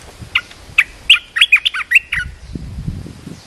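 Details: Caged decoy red-whiskered bulbul calling to draw in a wild bird, giving a lively phrase of about eight clear, bright chirped whistles in quick succession, then quiet with low rustling noise.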